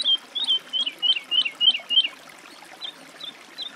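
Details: Woodlark singing a phrase of clear, down-slurred whistled notes repeated at an even pace, then a few fainter, widely spaced notes fading toward the end.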